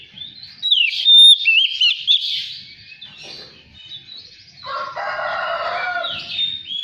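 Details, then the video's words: Magpie-robin song played to stimulate a caged bird into full singing: varied whistled and slurred high notes, a pure sustained whistle, then a long harsh rasping burst and further whistles. "SUARA PANCINGAN KACER BAHAN. DIJAMIN LANGSUNG GACOR DAN BUKA EKOR"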